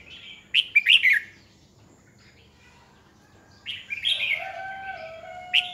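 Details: Red-whiskered bulbul decoy singing to stir rival birds; a short bubbly phrase, a long quiet gap, then another warbled phrase with a steady low whistle-like tone beneath.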